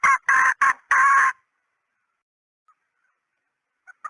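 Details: Female red junglefowl decoy call: four loud, raspy clucks, the last one drawn out, within about a second and a half, then quiet apart from a couple of faint distant notes.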